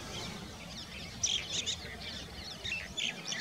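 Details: Black-headed bunting, a winter migrant, at Bokar, Kanha National Park, Madhya Pradesh, India, February 2023, giving thin, high chirping notes in two quick bursts about two seconds apart, over a low steady rumble.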